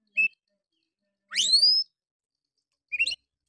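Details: Oriental magpie-robin lure song, a harsh 'nembak' style meant to rouse silent magpie-robins. A short high chirp, then a loud, strongly rising, buzzy whistled sweep, and a final pair of quick sharp notes after a pause.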